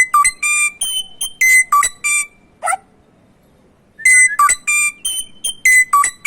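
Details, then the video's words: Samyong bird singing: loud, pure whistled notes, some steady, some rising or falling, delivered in quick bursts, broken by a harsh lower note and a pause of over a second before the whistles resume. "burung samyong"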